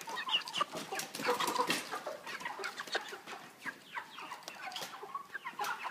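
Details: Caged broiler chickens of about 3 kg, housed with a pan feeder and plastic floor, call as a flock: many short, overlapping clucks and peeps, with sharp clicks and knocks of cage equipment throughout.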